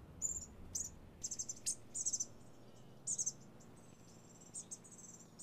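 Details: Bushtit chatter of thin, high, buzzy trills and short ringing notes in scattered bursts, some overlapping, with quieter gaps between and a low background rumble.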